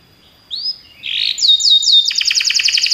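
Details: A Belgian canary opens with a rising whistle and a buzzy note, then breaks into quick repeated high downslurred notes forming a rolling trill.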